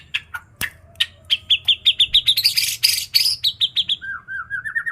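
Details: White-rumped shama song filled with isian imitations of katem and cak janggot: scattered sharp chips build into a rapid run of clear notes climbing in pitch, then a quick series of lower, bouncing whistles at the end.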